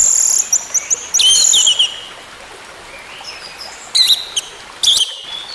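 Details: Orange-headed thrush singing, used as a therapy track to coax a bird that has stopped singing back into full song. A bright high phrase opens, followed by a few short chirps and two brief sharp bursts over a continuous background hiss.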